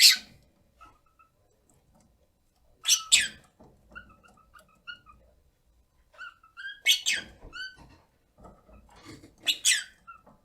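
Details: A rosy-faced lovebird kept as a pet, aged 1 year 9 months, mixing loud harsh screech bursts with long stretches of soft warbling chatter and little whistled notes indoors.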